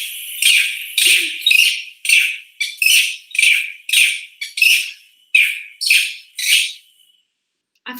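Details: A greater racket-tailed drongo (Dicrurus paradiseus) mimicking a monkey-like call: a run of about a dozen harsh, bright, chattering notes, evenly spaced roughly every half second.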